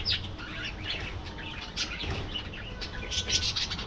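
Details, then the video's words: Aviary colony of budgerigars, dense overlapping twittering and short squeaky calls with a rising chirp near the start and louder notes near the end, low hum behind. "Budgie Life: Singing, Gossiping"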